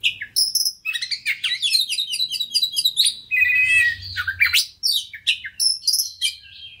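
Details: Fast, varied lure song of a fighter white-rumped shama, used to provoke another bird into singing: dense high chirps and trills, a buzzy stretch mid-way, then clear whistled notes, with a faint low hum beneath.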